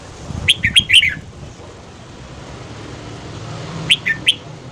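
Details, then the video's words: Morning singing of a red-whiskered bulbul, meant to train voices and spur freshly caught birds: two clear chirpy phrases of three to four rapid whistled notes, separated by a pause of nearly three seconds, over soft background rumble. "Luyện giọng chào mào hót sáng KÍCH BỔI SÁNG"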